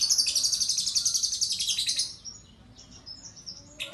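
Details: Lovebird singing in a competition in a kapas-style song fill; a rapid, high, buzzy trill of about four notes a second that runs for two seconds, then softer scattered chirps and a final burst.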